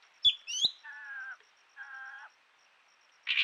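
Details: At Rocky Pool, Huai Khayeng Nature Park, a camera trap in March 2025 recorded a common green magpie's distinctive but unmelodious call: two quick rising whistles, then two harsh, buzzy, nasal notes, each about half a second long.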